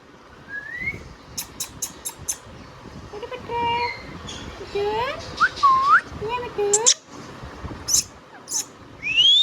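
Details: Talking Indian ringneck parrot kept as a pet mixes clicks, rising whistles and nasal speech-like phrases with curling tones, ending on a long high upward-sweeping whistle.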